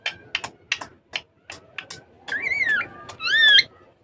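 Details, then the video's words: Pet rose-ringed parakeets talking in Urdu and Hindi while playing on a table: a run of sharp, dry tapping clicks, then wavering, harmonic-rich voiced notes that glide up and down near the end. "Ringneck Parrots Talking And Having Fun On Table In Urdu Hindi Talking parrot mitthu"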